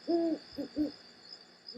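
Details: Great Horned Owl in the Southern California mountains giving low, soft hoots after begging squawks: one longer hoot, then two shorter ones, then the start of another, in a quiet setting.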